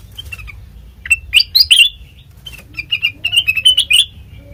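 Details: Sooty-headed bulbul lure song with short bubbly phrases, a loud cluster of chirps, a pause, then a quicker string of rising, warbled notes.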